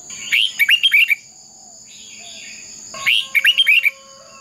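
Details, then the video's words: A red-whiskered bulbul trained for fighting song repeats a bright phrase of rising and falling whistles twice, about three seconds apart, with a faint warbling of another bird between them and a constant high hum. "Chào mào hót đấu"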